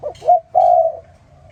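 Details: Morning call of a spotted dove, close and clear: a short stuttered opening note, then a smooth, sustained mellow croo fading out.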